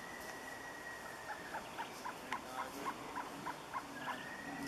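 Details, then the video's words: Surucua trogon singing a steady series of short, hollow, evenly spaced notes, roughly four per second for about three seconds, against a constant hiss of background noise. "surucua variado"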